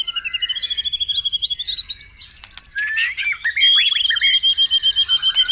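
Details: White-rumped shama singing in a morning track meant to prompt caged birds into song: a run of rising whistled upslurs, a short pause, then fast chattering notes and a steady pulsing high trill.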